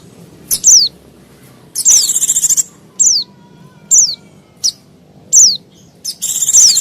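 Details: White-eye (pleci) giving a noisy lure call meant to attract wild white-eyes and other small birds: sharp high notes sliding downward, repeated about once a second, alternating with dense buzzy trilled bursts.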